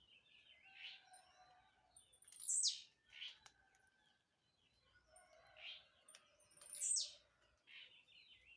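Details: Jumping blue-black grassquit repeating its short song: a soft chirp, then a loud, buzzy, steeply falling high note, heard twice about four and a half seconds apart, with faint twitters between.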